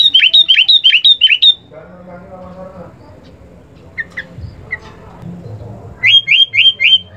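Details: Sooty-headed bulbul song offered as master material for training captive songbirds: bursts of quick, whistled notes dropping in pitch, repeated rapidly in a short run at the start and again near the end, with a low murmuring background between.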